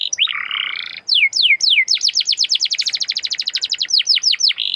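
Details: Canary song used as a lure to get other canaries singing: sweeping downslurred whistles, a brief buzzy trill, then a fast run of bright repeated downslurred notes about five per second, closing in a sustained warble.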